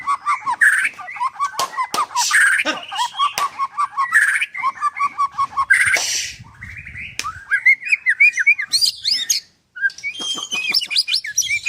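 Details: White-rumped shama at a bird farm in Kendal, Indonesia; a loud, varied song of rapid repeated clipped notes, rising whistles and harsh buzzy bursts, switching phrases every few seconds.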